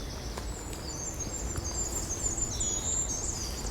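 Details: Goldcrest singing at dawn in March in Abney Park, a mixed woodland in north Hackney, London: a very high, thin song of rapid notes that seem to spiral around, over a low rumble of wind or distant traffic.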